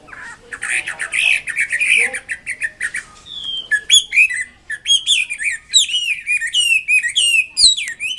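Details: Hwamei in full song: a rough, buzzy opening gives way to rapid, sharp whistled slurs tumbling up and down, delivered continuously in fast rich bursts.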